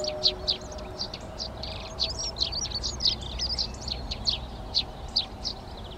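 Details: Eurasian tree sparrows occupying nest boxes in a Přerov garden on 19 March 2020; a busy run of quick, high chirps and twittering notes overlapping one another, then louder single chirps spaced out toward the end.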